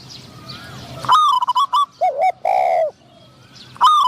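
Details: Decoy spotted dove in a trapping session, answered by a wild bird with a medium-pitched voice: a few low, rounded coos mixed with sharper, higher chirping notes from another bird.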